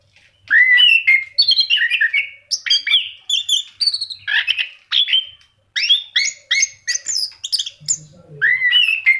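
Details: An energetic song from an orange-headed thrush: a long sequence of fluty, slurred whistles and quick twittering notes, phrases tumbling one after another with only short gaps.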